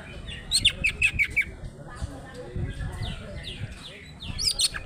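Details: Greater green leafbird, local Banyuwangi Alas Purwo bird kept for song contests; a fast series of bright chirps, softer scratchy notes, then a closing burst of high sharp whistles over low background noise.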